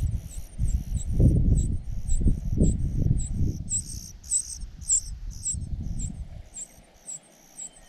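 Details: Young cuckoo being fed by its foster parents: a run of sharp, very high squeaky begging notes repeated roughly three times a second, with louder low thumping and rustling below that fades near the end.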